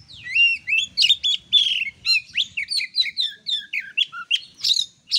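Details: Continuous, rapid Oriental magpie-robin song, played as master material to train other kacer: dense strings of bright whistles, slurred rising and falling notes, and quick chirps with almost no gaps.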